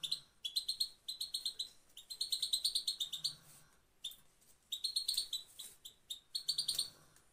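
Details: Goldfinch recorded in Afghanistan as motivation for males: lively phrases of fast, sharp, ringing chirps, some with a slight buzz, grouped into bursts of one to two seconds and broken by short silences.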